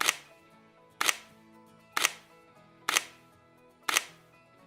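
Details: Sharp, broadband clicks or claps strike about once a second over faint tonal music, with no animal voice.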